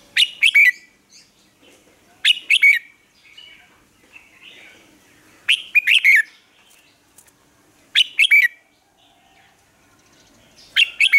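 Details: Red-whiskered bulbul singing a morning training song for caged birds; loud chirped phrases of three or four sharp notes repeat every two to three seconds, with soft warbling in between.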